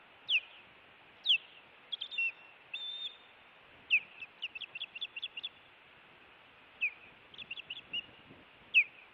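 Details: Montana nest-cam osprey reacting during an intruder incident, June 2017: loud downslurred whistles mixed with short bursts of quick chirps, some clipped and some slurred, in an irregular pattern over nine seconds.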